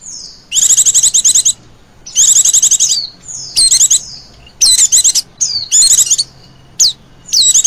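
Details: Chirring 'ngecir' call of a female Oriental white-eye, used for luring birds: two long fast trills of high buzzy notes, then a mix of short trills and sharp downslurred whistles.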